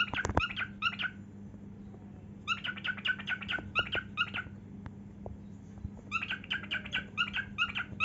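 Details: Singing, dancing cockatiel indoors, runs of quick bright chirps broken by pauses of about a second, with a few soft clicks between the phrases.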